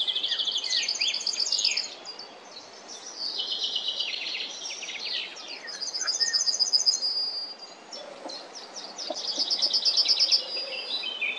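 A Yellowhammer sings three bursts of quick, high, dry repeated notes a few seconds apart, with other birds chirping and twittering in between.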